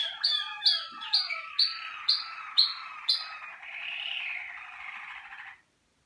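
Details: Malinois Waterslager canary, caged for singing selection, delivering a series of sharp repeated notes about twice a second, then a sustained rolling trill that fades out.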